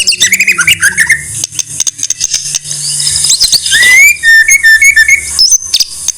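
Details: White-rumped shama song in a loud, distorted recording used as a master song for songbird keepers in Indonesia: varied whistled notes and trills, then clear repeated whistles, with heavy clicking and crackling throughout.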